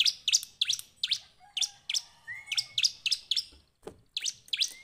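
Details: Bar-winged prinia singing in the afternoon, loud high chips repeated about four times a second with a slight pause near the end, plus a thin rising whistle and a faint lower drawn-out note.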